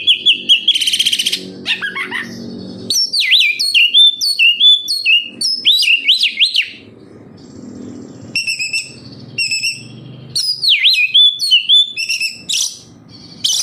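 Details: Oriental magpie-robin, locally kacer, singing to lure captive birds into song: bursts of loud looping whistled notes repeated about twice a second, broken by quiet gaps and harsh rasps.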